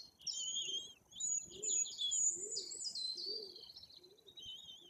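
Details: At a white-tailed eagle nest in Bory Tucholskie, Poland, chicks nearly three weeks old are fed by their parents; high squeaky whistled chatter over soft low cooing notes repeated about every second.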